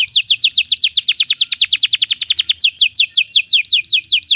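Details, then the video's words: Belgian canary in song, offered as training for other canaries: rapid, evenly repeated high whistles that each slide downward, the rhythm speeding up midway and then settling into a slightly slower roll. "Belgian canary singing makes your canary sing"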